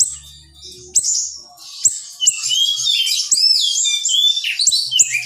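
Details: Training recording of a young siri-siri: after a few sharp high shots comes a continuous, tightly packed warble of shrill sliding whistles and chips, with faint low humming in the background.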